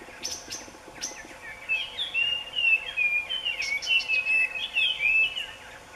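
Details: Male scarlet minivet giving rapid sweet whistles that slur down and up in an unbroken chain, after a few sharp chip notes from another bird at the start.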